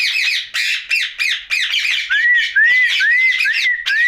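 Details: A pet talking rose-ringed parakeet (ringneck) at night chatters in harsh, raspy bursts about every half second, then gives a run of clear rising-and-falling whistles.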